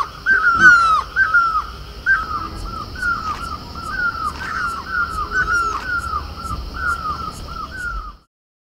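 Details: Great barbet, also called Himalayan barbet and known locally as mewli, on horse chestnut blossom in Uttarakhand; loud mewing downslurred notes repeated steadily about twice a second through the whole stretch, with faint high ticking in the background.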